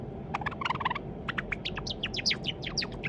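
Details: White Java sparrow, probably male, a pet kept since taken in as a chick in October 2021, practising its song: a run of dry clicking notes, then quick, sharp, downward-sweeping chirps, over a steady low indoor hum.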